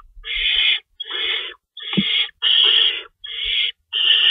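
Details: Owl nest at 3:53 AM, March 25, 2012, feeding time with rabbits in the larder: six harsh drawn-out hisses in close succession, with a brief low squeak near the middle and soft scuffling.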